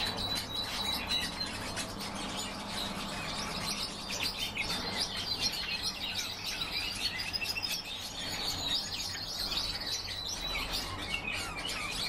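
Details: European bee-eaters calling together, a dense, continuous chatter of short, overlapping rolling chirps high in pitch, with a steady low rumble of background noise throughout.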